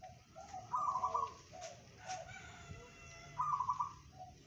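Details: Kept local zebra dove giving 'bedah karang' song, reputed to travel 500 metres: soft low coos leading into a quick pulsed higher trill, repeated twice, with faint clicks and a low background rumble.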